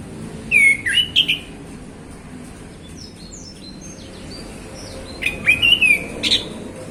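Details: Male orange-headed thrush in easy, open afternoon song: a burst of loud whistled and slurred notes, a pause filled with faint high twitters, then another rich warbled burst.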